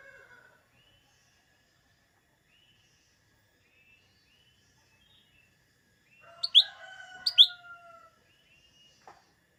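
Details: Lesser green leafbird, or cucak daun, used to heat up green leafbirds ahead of competitions: soft scattered thin notes, then two loud, sharp chirps over long, level, layered whistles, ending with a faint click.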